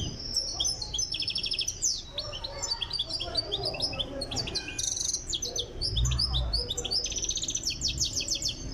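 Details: European goldfinch from Tiaret, Algeria, being trained for singing, delivers a dense, continuous stream of high twittering and buzzy, rattling notes with quick tinkling runs, over low background noise.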